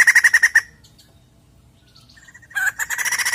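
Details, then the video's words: Song of a White-crested laughingthrush used to trigger a caged bird to sing: a brief rattling burst, about two seconds of near silence, then fresh fast harsh chattering. "Pancingan Bunyi Poksay Jambul Gacor!!!"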